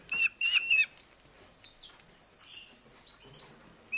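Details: Rescued Eurasian hobby nestling being fed at a wild bird rescue centre in Hungary after being found starving on a road in August. It gives three loud, shrill, slightly wavering squeals, then faint squeaks and rustling.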